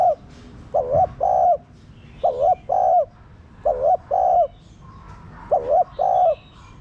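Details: Spotted dove cooing steadily, recorded to get captive doves cooing: five paired phrases, a short wobbling note then a longer mellow hoot, spaced about 1.4 seconds apart.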